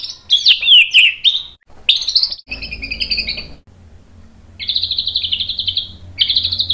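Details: White-rumped shama song for provoking rival shamas: tumbling whistled slurs, then buzzy rattles and a long evenly pulsed trill, with low background hum.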